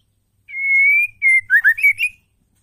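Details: Female white-rumped shama calling to provoke caged males into singing: a long steady whistle followed by a run of short clear whistled notes rising and falling, clean and loud.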